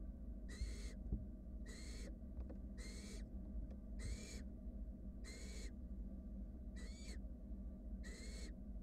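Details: Eight rasping snore-like hisses in a steady run, just under a second apart, come from wild barn owl nestlings cuddling in a nest box beside a sibling swallowing a rat.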